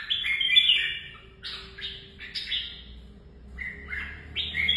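Red-whiskered bulbul singing a run of bright, liquid whistled phrases, each quick and bouncing, with short pauses between; a faint steady hum sits underneath.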